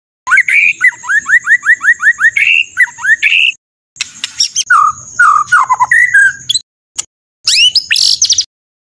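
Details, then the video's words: White-rumped shama singing rough 'shot' phrases: a quick series of repeated downslurred whistles, then scattered sharp notes and abrupt high sweeps broken by brief silences. A faint steady high tone is heard throughout. "MASTERAN MURAI BATU FULL ISIAN TEMBAKAN KASAR"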